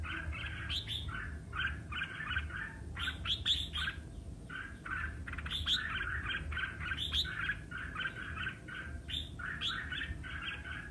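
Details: Competitive singing of the red-whiskered bulbul, meant to rouse other bulbuls to sing back: busy, chattering warbled phrases, some notes sweeping higher, with few pauses over a steady low hum.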